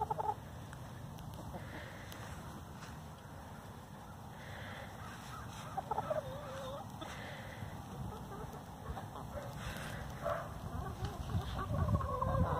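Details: Free-range domestic hen complaining, as hens get loud over who lays where: scattered nasal clucks and squawks through the recording, growing busier toward the end, over steady low rumble and faint hiss.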